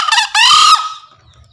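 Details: Green junglefowl giving a daily tutor call meant for newly wild-caught birds or ones reluctant to call: a harsh, hoarse two-part crow, a short rasping note and then a longer, louder strained one fading away, all within about a second.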